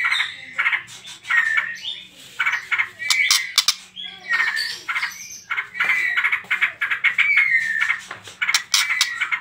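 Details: Lure song of a white-rumped shama, trotol style, meant to make other birds sing: loud squawky bursts, scratchy chatter and bright rising whistles, separated by short gaps, over a faint low hum.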